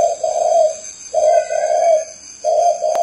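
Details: Cooing spotted dove sitting on a hand: soft, low hollow notes grouped into paired phrases separated by short pauses, with a thin constant high whine in the background and one sharp click near the end.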